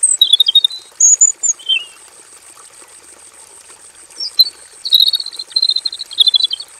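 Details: Caged robin in a simple aviary, singing energetic, varied tutor song: short high chirping phrases open, a pause follows, then a longer run of rapid bright twitters; a thin steady high-pitched hiss continues in the background.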